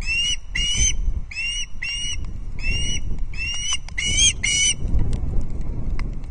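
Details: Osprey chick at Loch Arkaig, 19 August 2022, while being given a fish; paired shrill whistled yelps repeated in a steady string, then fading to faint clicks amid wind rumble.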